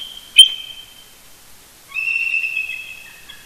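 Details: An eagle pair duets early on a Sunday morning, 18 November 2018, roosting near their nest at Big Bear Lake, California, calling to each other first thing. They give high, thin whistled notes: a short sharp note, then after a pause a longer, wavering, chittering whistle.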